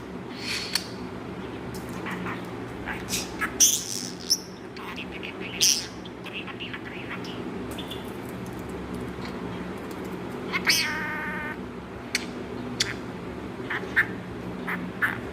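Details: A pet talking budgerigar chatters in quick, scratchy bursts of mimicked speech mixed with chirps and clicks.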